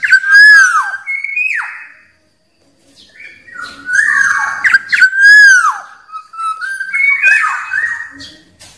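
Black-naped oriole giving rich, liquid fluted whistles that slide up and down in short phrases, with a brief pause between bursts.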